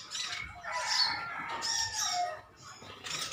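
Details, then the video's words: A colony of metallic green sunbirds chirping at one another: thin, high, sharp chirps and short squeaky notes overlapping in bursts, with a brief quieter pause near the end before the chirping resumes. "Koloni burung konin metalik ijoan saling adu nyrecet"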